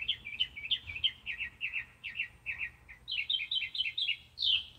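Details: Northern mockingbird in South Carolina: a run of crisp chirped notes, each type repeated several times in quick succession before switching to a higher, sharper series, ending with one loud squeaky note. A low background rumble is present.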